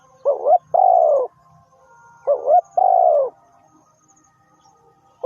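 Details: Spotted dove, in a setting of decoy bird trapping, giving two phrases about two seconds apart, each a short wavering rising-falling note followed by a longer, steady, gently falling coo. The background is otherwise quiet.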